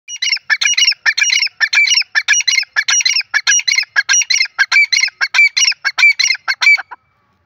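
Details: Grey francolin (teetar) roaming free in the open, calling: a loud, harsh series of rapid squeaky double notes repeated about twice a second for seven seconds, steady in rhythm, then stopping abruptly; no other clear sounds.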